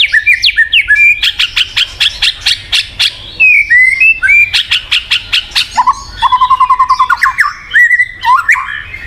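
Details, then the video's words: White-rumped shama song, aimed at getting a silent murai batu to sing: bursts of rapid repeated chips, then mellow slurred whistles, a quick low trill of even notes, and finally varied whistled phrases. "PANCINGAN BUAT MURAI MACET | WHITE RUMPED SHAMA SONG"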